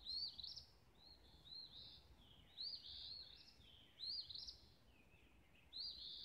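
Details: Sunrise birdsong on Bird Haven Lane, Olivehill, Tennessee: a high, sweet warbled phrase repeated roughly every two seconds, each burst rising and falling quickly, over faint background hiss.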